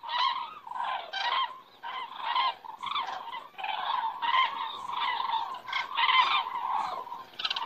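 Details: Cranes flying past and circling in the Estonian sky at dusk in September; a dense chorus of rolling, trumpeting calls from many birds, pulsing unevenly without a break.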